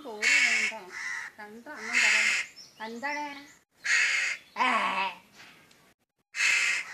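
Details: Crow imitating a woman's voice: loud hoarse caws alternate with wavering, voice-like harmonic sounds, with short pauses between; faint music and speech also present.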